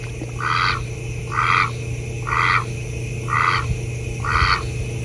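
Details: Male domestic duck (drake) from a pet flock, giving the call used to warn the flock of predators and to communicate with it: five raspy, scratchy quacks, each evenly spaced about a second apart, over a steady low hum.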